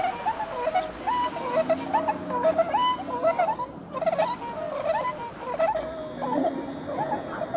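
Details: Swans coming down onto water in early March 2016 as they head north again: a chorus of nasal, bugling honks, overlapping and repeated about once a second, over a low background hum and a brief high electronic whine.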